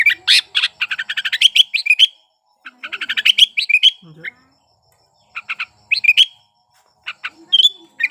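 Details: Sooty-headed bulbul in breeding condition, song meant to prompt silent bulbuls to join in: fast rattling bursts of chirps ending in a whistled upslur, separated by short pauses, with a few faint lower sounds.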